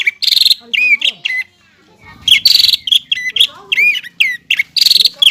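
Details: Greater green leafbird singing actively, a recording meant to prompt young birds to sing: loud harsh buzzy bursts alternate with curving whistled notes and chattering phrases, with a short pause midway.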